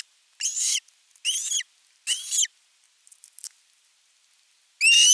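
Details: Osprey begging for fish at nest camera 3 on 10 August 2021: three rasping, slurred screams about a second apart, soft rustling, then a fourth loud scream.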